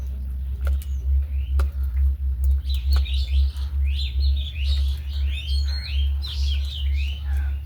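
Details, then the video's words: Several pet budgies sharing space with hens chatter in a dense run of high, twittering chirps that grows busier halfway through, above a constant deep droning hum. "Budgies Have Great Friendship with My Hen's 🦜🐔 | Relaxing sounds of my pets"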